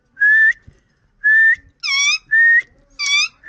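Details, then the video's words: Indian ring-necked parakeet giving loud, clear whistled calls, each about a third of a second long, alternating level notes with richer harmonic notes, five calls in roughly three seconds. "Nachral saound parrot indian Ring"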